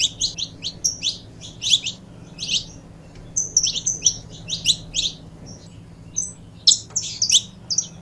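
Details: Captive saffron finch pair singing: lively sequence of sharp high chirps in clustered groups, some notes sweeping down, with brief pauses between runs and a soft background hum.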